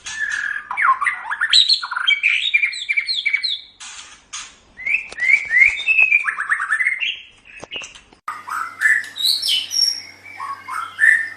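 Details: Song of a white-rumped shama, played to teach pet cage birds: continuous rich warbling of rising and falling whistled notes and quick trills in looping phrases, broken by brief gaps and sharp clicks.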